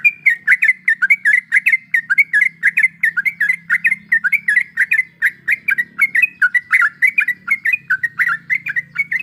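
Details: Yellow-vented bulbul hen in breeding condition calling to a male, giving a long, steady stream of loud, chattering, bubbly chirps, several per second, with a soft low hum underneath.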